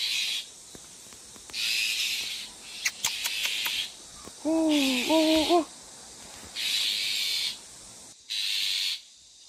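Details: Bull-headed Shrike mother covering her six chicks in a persimmon-tree nest area at a Geumsan, Korea farm, smartphone recording: long drawn-out hissing rasps about every two seconds, with clicks and a brief wavering tonal sound midway.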